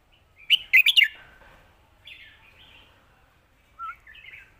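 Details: Red-whiskered bulbul giving a 'Lak Wai' master song: a loud burst of four or five rich whistled notes, then soft warbling chatter and a short twittering phrase near the end.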